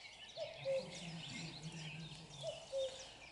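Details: Common cuckoo heard from close range, two clear cu-coo calls of a falling two-note pattern, with other birds chattering and a low hum in the background.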